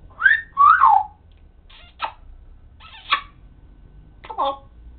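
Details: Pet parrot vocalising indoors: two sliding, whistled syllables at the start, followed by short, separate raspy bursts spaced about a second apart in a quiet room.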